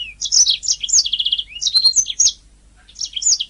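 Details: Canary song from a training master recording: tumbling high warbles, a quick rattling trill of repeated notes, then more chirps after a brief gap.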